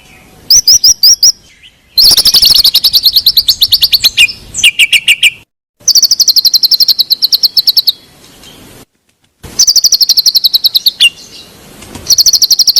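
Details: White-rumped shama song used to prompt a silent bird: bursts of rapid high, sharply repeated ticking notes over loud sustained whistles, broken by brief silent gaps.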